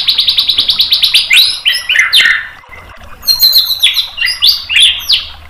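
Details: White-rumped shama tutor song used to provoke a reply: a fast series of a dozen repeated high notes, then loud rich whistles sliding down and up, followed by a burst of mixed high chattering phrases.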